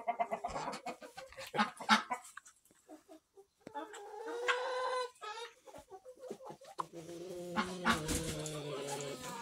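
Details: Barn chickens of many breeds, hens and roosters, with a couple of ducks, in September; loud clucks and drawn-out harmonic squawks from several birds, a sustained rising-falling cackle near the middle, then layered overlapping calls.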